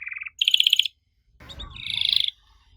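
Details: A canary song meant to prompt young birds to answer: a short low trill, a brighter rolling trill, a brief noisy thud, then a buzzy roll fading out.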